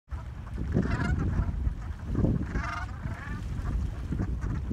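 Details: A flock of gulls gathered before sunrise in New England, chattering together: nasal, harmonic cries in short bursts around one and three seconds, over a steady low rumble of wind or surf.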